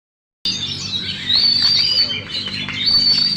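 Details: Caged champion Oriental magpie-robin, a contest bird singing with its tail fully spread: loud, varied whistled phrases with sharp sliding notes and rapid chattering trills, delivered continuously after a brief silence.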